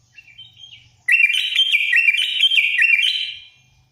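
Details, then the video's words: Sooty-headed bulbul delivering full 'isian' song: a loud, bubbly, warbling phrase of rising and falling whistled notes lasting over two seconds, preceded by a soft quiet twitter, with a faint low hum. "Burung trucuk full isian terganis"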